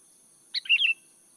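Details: A single quick, gurgling phrase of several tumbling notes from a sooty-headed bulbul, a song used to lure birds, against a quiet background.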